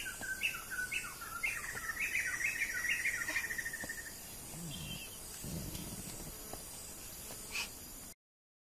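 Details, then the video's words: A Sumatran laughingthrush in northern Sumatra, one of the world's rarest laughingthrushes, gives a rapid, bright chattering run of notes for about four seconds, then fades out, over a steady high insect hiss. "Sumatran Laughingthrush"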